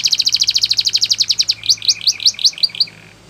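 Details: Training song of a Belgian canary. A fast, even volley of sharp chipping notes gives way to slower, rising whistled slurs before the phrase fades out. A faint low hum runs underneath.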